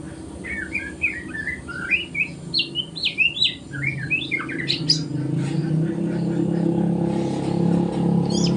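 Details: Morning practice song of a spotted young white-rumped shama still learning: a quick string of varied chirped and slurred whistles in the first five seconds, then mostly a low droning background with a faint high note near the end.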